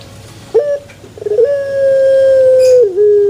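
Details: Male Barbary dove cooing: a brief stuttered rising note, then a long, steady, held coo that drops at the end into a lower, shorter tone; faint background hum.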